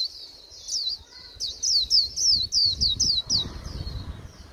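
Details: Late-season Japanese white-eye giving a plain 'líu' warble: after a soft start, a brisk run of about ten loud, piercing high notes, each sweeping downward, then quieter trailing chirps over low noise.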